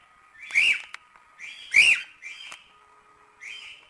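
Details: Training song of a cockatiel for teaching young birds to sing, with two strong arched whistled notes and several quieter level whistles spaced irregularly.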